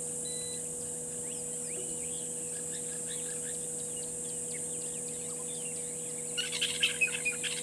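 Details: Burchell's starlings perched in a tree beside Gowrie dam waterhole, Djuma Game Reserve, Sabi Sand, South Africa, mid-afternoon; a burst of loud, harsh chattering calls near the end follows faint high chirps from other birds over a steady electrical hum.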